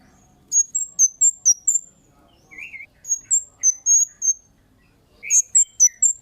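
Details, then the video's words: Kemade calling with keen 'cit' notes, used as a lure to get other birds responding. Rapid runs of thin, high chips mix with a few lower buzzy notes, separated by short gaps. "Suara Burung Cit Kemade GACOR--Pancingan Cit Keres"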